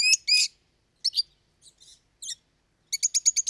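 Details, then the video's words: Pet lovebird song: two shrill upslurred squeaks, a pause, scattered sharp chirps, then a rapid series of five high clipped notes in quick succession, in a quiet room. "Как поёт неразлучник"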